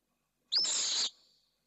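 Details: Pallid swift at a nest in Jerez de la Frontera, as the female arrives at the nest, gives one harsh, buzzy, high-pitched scream of about half a second, fading quickly.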